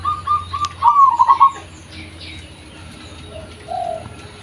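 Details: Local zebra dove voice meant as a lure: a short series of soft even coos leads into one louder stuttering phrase of quick notes, followed by quieter distant cooing.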